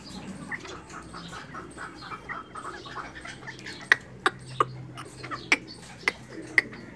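Scaled quail: a busy murmur of soft clucking chatter, then a run of sharp, short pips about every half second.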